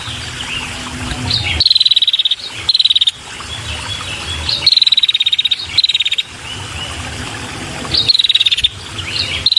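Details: Female red-headed prinia calling to lure males: short bursts of rapid, high, dry ticking notes, each run about half a second and slightly falling, given in clusters with brief pauses; steady insect-like buzz and low hum in the background.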